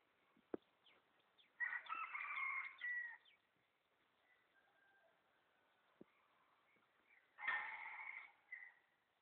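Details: Junglefowl heard in the morning on a mountain at Ban Bo Kaeo, Samoeng District, Chiang Mai, Thailand: two loud, harsh, drawn-out crowing bursts about six seconds apart, with faint chirps and sharp clicks in the quiet between.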